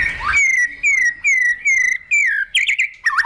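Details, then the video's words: Caged white-rumped shama training its fighting song, tail flicking on the perch: five clear whistled notes, each dipping slightly, repeated about every third of a second, then a jumbled twittering flourish. "Chòe Lửa Đánh Đuôi Sàn Cầu Kích Lửa Hót Căng. luyện Chòe lửa hót đấu"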